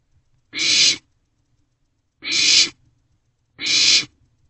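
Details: Young barn owls in an owl box around 2 am, 27 March 2024, passing a meal back and forth; three separate breathy, hissing screeches, spaced over a second apart, in silence.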